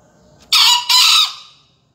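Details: Green junglefowl crowing in a 2020 finalist round of a junglefowl singing contest in Surabaya, Indonesia: one loud, harsh, hoarse two-part crow, a brief first burst followed by a slightly longer second, over faint background hum.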